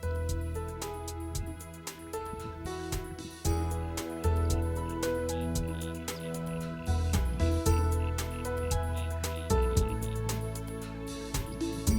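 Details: Soft instrumental music with steady plucked notes and a deep sustained bass fills the whole stretch, with no animal voices heard.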